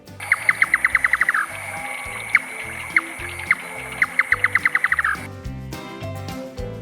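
A nightjar gives runs of sharp, knocking notes on one pitch that speed up into a quick rattle, repeated several times over background music with a steady beat.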